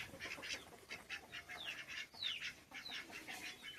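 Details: A domestic duck calls while struggling to get out and join its companion, giving rapid, harsh, nasal quacks, about three a second, mixed with thin, high, downslurred peeps from another bird.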